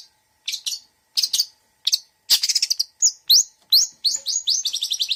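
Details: Long-tailed shrike giving a mixed 'isian' song. Scattered sharp chirps build into rapid rising whistled notes and a fast trilled run of high chips at the close.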